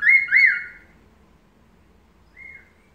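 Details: Melodious laughingthrush song used as a master recording to make other birds answer: two loud, clear whistled notes that slur up and down, a pause, then a fainter drawn-out whistle.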